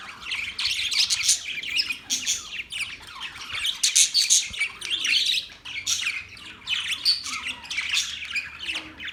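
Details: Australian parrots, dated October 10, 2023, chattering with rapid chirps, tweets and scratchy squawks in repeated bursts, several birds calling over one another.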